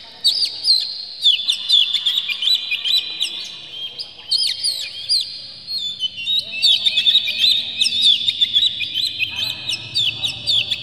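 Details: Harsh, clear Oriental magpie-robin lure song for provoking a bird to sing: layered bright whistled phrases and quick chirps in dense bursts, with a faint low hum underneath.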